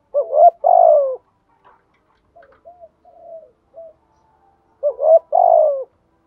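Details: Decoy-stimulating spotted dove cooing: a loud phrase of clipped coos and a long falling note, several seconds of soft, brief murmurs, then the same phrase again.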